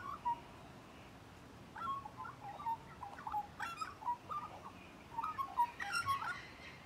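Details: Magpie at close range, giving a run of fluted, whistled notes that wobble up and down in short phrases, with brief pauses between bursts and a faint clicking in the background.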